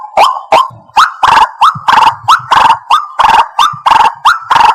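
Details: Lure call of the White-breasted waterhen for bird trapping: harsh croaks paired with quick upward-sliding squawks, repeated steadily, roughly one and a half notes per second.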